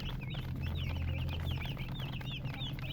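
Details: Chicks peeping about three times a second, each note a clear high whistle sliding downward, irregularly spaced, with a droning low hum underneath.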